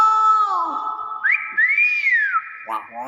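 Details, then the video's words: Nias hill myna, presented as its original voice: a steady, nasal, harmonic tone, then a loud whistle that climbs and arches before falling away, ending in a harsh burst. "BEO NIAS SUARA ASLI"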